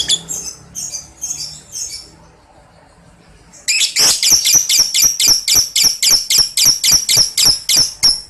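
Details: Lovebird ngekek chatter used as therapy to get young 'paud balibu' lovebirds answering: after a few soft high chirps and a quiet gap, a long rapid buzzy trill of sharp high notes repeats about four times a second.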